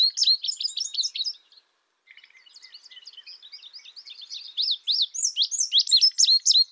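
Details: High rapid chirps from an Indigo bunting stop briefly, resume as soft twittering, then build into loud, sharply slurred notes repeated about four times a second.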